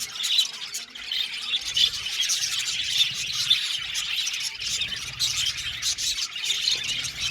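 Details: Aviary budgie colony in full voice: overlapping high chirps, warbles and short squawks form a constant busy chatter.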